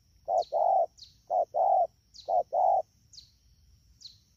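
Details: Spotted dove, a wild-caught bird, at Đak Tô on 3 October 2019 during the rainy season, giving three brisk two-note coos, short then drawn-out, before falling quiet; a thin high tone runs throughout.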